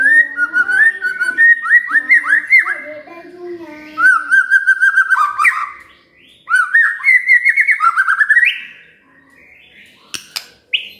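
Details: Magpie-robin song to trigger singing in a quiet bird: rich, varied whistled phrases with low and high tones, in several bursts separated by short pauses, ending with a sharp click and rising whistle.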